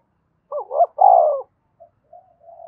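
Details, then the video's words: A single low coo phrase from a spotted dove calling to provoke other doves: two quick hoots and a sustained throaty note, followed by faint soft murmurs. "tiếng cu gáy thúc và gáy gọi/ cu gay kich boi nhanh noi gù"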